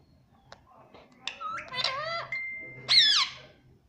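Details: A talking pet rose-ringed parakeet mimicking "mummy papa": squeaky, nasal word-like sounds bending up and down, a brief steady whistled tone, then a loud high rising squawk indoors.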